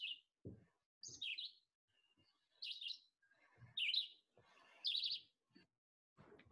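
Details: Red-eyed Vireo singing short, burry, whistled phrases, each rising or falling, in quick succession about once a second, a fast song compared with the slower, shyer Blue-headed Vireo; faint low thumps also heard.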